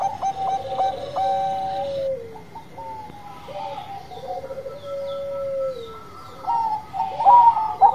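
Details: Bangkok-strain zebra dove in vigorous song, giving short staccato coos that run into longer, smooth, gently falling whistled notes, a rolling trill-like phrase midway, and a louder, brighter burst of notes at the close; faint higher chirps in the background.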